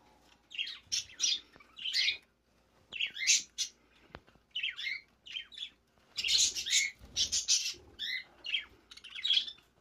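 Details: A young budgerigar (Melopsittacus undulatus) giving chatter calls: harsh, scratchy chirps and squawks in quick, uneven bursts.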